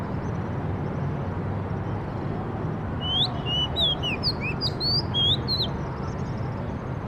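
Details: A bird sings one burst of quick, sliding whistled notes in the middle of the recording, with a steady low background rumble throughout.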